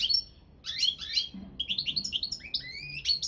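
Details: European goldfinch of the balcanica subspecies singing for a championship: high whistled notes, then bright tinkling twitters and slurred descending phrases in quick succession.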